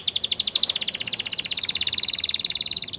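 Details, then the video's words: Training song from a canary, one fast, even, high trill of about three notes per second's worth of beats running the whole three seconds, over a soft background hiss. "Canary's Training Song"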